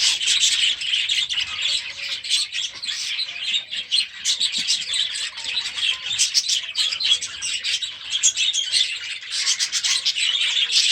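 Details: Budgerigars hatched last year, now released into their new aviary, filling it with continuous high chirping and warbled chatter from many birds at once, rising and falling in loudness.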